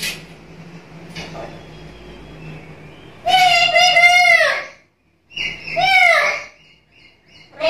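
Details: Chatty black-capped lory giving two loud, drawn-out, arching squawks after a stretch of low background hum and faint household noise. The recording is offered as a lure and tutor for other birds.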